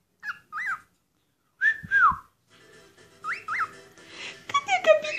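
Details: Pet cockatiel, a noisy male, singing one of its typical songs: short rising-falling whistled notes, a longer slurred whistle, then a brief busy warbled passage at the end.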